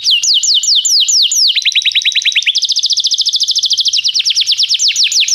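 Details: Canary singing as a tutor recording for training a young canary: loud rapid phrases of repeated downslurred whistles, then fast trills at steady pitch, switching tours every second or so.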